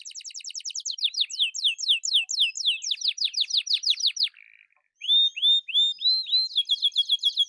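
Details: Atlantic canary singing vigorously: fast trills of high, downward-sweeping whistled notes, then a brief low buzzy phrase, a short pause, and a run of rising, ringing whistles repeated several times a second.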